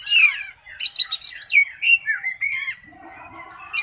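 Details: Oriental magpie-robin at a singing contest, kept caged, delivering loud rapid whistled phrases, buzzy chatters and downslurred notes in quick succession, followed by a softer lower murmur near the end.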